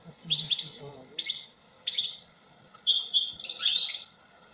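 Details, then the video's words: European goldfinch giving clipped, high tinkling chirps in short bursts, building into a longer run of quick twittering notes near the end, over a low background hum. "تغريد حسون في غاية الجمال بدون اخطاء"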